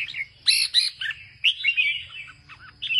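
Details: Northern-style song of a farmer's caged Red-whiskered bulbul, its bib deeply coloured: bright, loud double chirps followed by a rolling, warbled phrase and short twittered notes, fairly clear with a low background hum.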